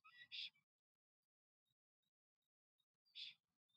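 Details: A male black stork courting at his nest in Notecka Forest, Poland, on 12 April 2023 gives two short, harsh, wheezy hisses about three seconds apart; no female arrives. Faint thin high notes from another bird sound between them.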